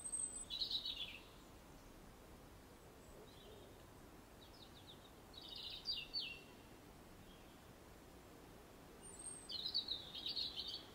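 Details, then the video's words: Robin singing aggressively in an English nature garden: short, high, scratchy warbled phrases separated by pauses of two to three seconds, some thin high notes between, over a soft steady outdoor hiss. "Aggressive Robin Song"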